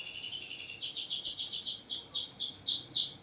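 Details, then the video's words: Loud champion canary in a cage, used as a lure to start reluctant canaries singing; a buzzy high trill runs into a string of ringing downslurred whistles, closely spaced, little else heard. "PANCINGAN KENARI MACET || JEDA RAPET || SUARA LANTANG || SUARA ASLI KENARI JUARA"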